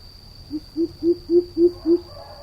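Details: Greater coucal calling in a lure recording: a series of six deep, hollow hoots, each slightly higher and louder than the one before, about a quarter second apart, over a steady high electrical whine.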